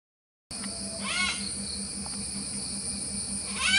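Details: Malabar grey hornbills: two short harsh cackling calls with arched, stacked notes, one early and one at the end, over a constant high insect drone and a low pulsing hum.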